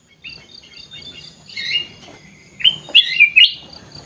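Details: Sooty-headed bulbul in an aviary: soft chatter opens, then a clear, fluty phrase of four rapid rising-and-falling notes. Faint ticking calls and a low hum sound in the background.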